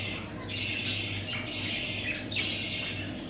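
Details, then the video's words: Budgerigar chicks giving three long, raspy, wheezing squawks, each lasting close to a second, with a low hum beneath. "Muhabbet Kuşları Bebeklerimiz"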